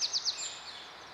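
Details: A young Eurasian sparrowhawk leaving the nest gives three thin, high, quickly falling squeals in rapid succession, then only a soft background hiss.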